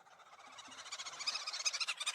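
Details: Green Wood-hoopoe (Afrikaans: Rooibek-kakelaar) giving a harsh, rapid cackle, a fast run of raspy notes that grows louder and more excited toward the end.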